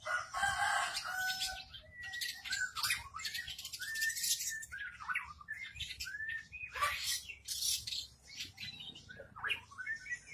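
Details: Caged long-tailed shrike singing in front of a house, a long varied medley of harsh chatter, short upslurred whistles and scratchy high phrases delivered almost without pause.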